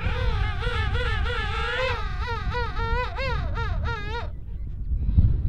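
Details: A king penguin, likely a male among a group slapping and fighting over mates at breeding-season start at Volunteer Point rookery, Falkland Islands, trumpets a rich, rapidly wavering call about four seconds long over low wind and colony noise.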